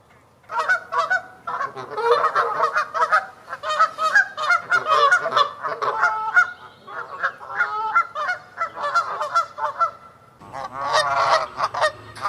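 Canada geese honk in a loud, continuous, overlapping chorus of nasal, two-toned calls, several per second. A rush of low wind or handling noise enters near the end.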